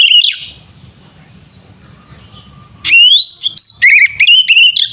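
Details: Provocation song of a kacer (Oriental magpie-robin), used to rile rival birds. A brief whistled note fades into a low humming pause, then a loud rising whistle holds high before a run of quick stuttering notes.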